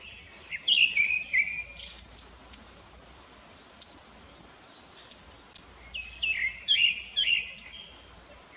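A Rufous-bellied Thrush sings two bursts of clear, fluty, warbled phrases, each lasting about a second and a half, separated by a quiet pause.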